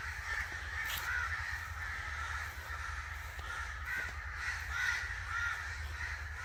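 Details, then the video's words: Harsh, grating caws from angry crows, overlapping and continuous, some notes standing out sharply near the end, over a steady low-pitched hum. "Angry Crow Sounds"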